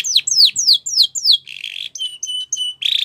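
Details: Spanish Timbrado canary song for training young canaries: five fast descending whistled sweeps, then a buzzy steady trill and short clipped high notes, ending in a brief harsh rattle.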